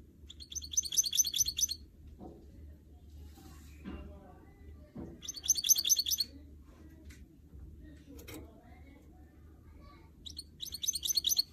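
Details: Canary x goldfinch mule singing indoors during song motivation: three separate bursts of fast, high, jingling trills spaced several seconds apart, faint rustles and taps in the gaps, steady low hum.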